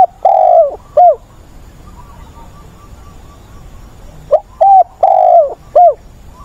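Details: Spotted dove kept as a decoy for training wild-caught doves, recorded 20 August. Two low cooing phrases about four seconds apart, each with short clipped notes around one long, slightly falling coo. A faint hum runs beneath.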